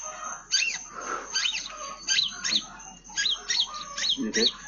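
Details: Long-tailed shrike in lively song imitating a house sparrow: bright, slurred chirps in short clusters of two or three, broken by quieter gaps, with faint lower murmurs beneath.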